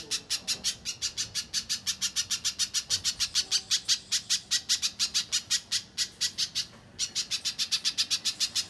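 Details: Little spiderhunter singing gacor, a lure and master recording for contest birds: fast, loud, high-pitched chips repeated about five per second, with one short break near the seventh second before the series resumes.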